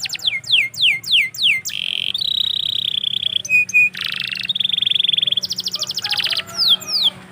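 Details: Canary morning song opening with a series of swooping downward notes, then sustained whistles, clipped buzzes and long fast trills, ending with more descending sweeps.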